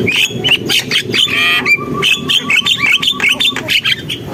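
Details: Javan myna singing fast: whistled notes and squawks, with a buzzy, rattling trill near the middle and quick chatter after it.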